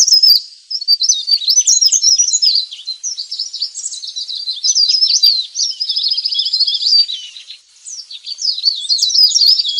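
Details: Leaf warbler lure recording, meant for calling in wild birds: a dense, continuous run of very high, thin, twittering and buzzy chirps, with rapid rising and falling notes that pulse in bursts with brief dips, and no other sounds.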